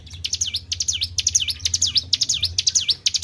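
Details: A Tribel gives high, thin chirps in quick bursts, each note sweeping sharply down then up, about two bursts a second, with faint low background rumble; recording meant as a lure call.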